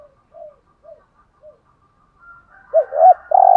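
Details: Spotted dove with the 'hạp bổi' voice, cooing played to rouse caged birds: soft, short, arched coos spaced about half a second apart, then a burst of louder, rolling coos at the end.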